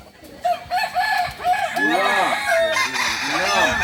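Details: Kukuak Balenggek chicken, a singing breed native to Solok, starts with short stepped notes that build into a loud, rolling crow of quickly repeated arched syllables, steady to the end.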